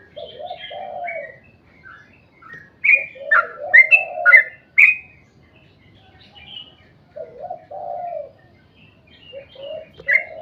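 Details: A sooty-headed bulbul sings in the 'ropel panjang' style to entice other bulbuls to sing; low warbled phrases lead into a cluster of sharp bright notes, followed by softer, scattered warbles and chirps.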